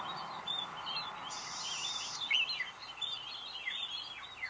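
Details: Chestnut-breasted mannikins (Lonchura castaneothorax) by a road in Julatten, North Queensland, give soft, high chirps and short descending notes in loose chatter, with one thin buzzy note over a steady low background hiss.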